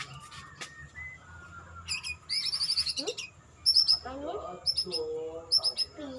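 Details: A white-rumped shama singing in the 'sujud' bowing manner, mixing soft whistled notes with sharp, very high clicks and bursts, and fast descending trills, given in short, varied phrases.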